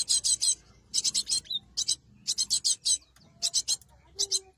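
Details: Cinereous tit, recorded as a lure for trapping wild birds: short bursts of harsh, buzzy, rasping notes in quick clusters of three to five, separated by brief pauses.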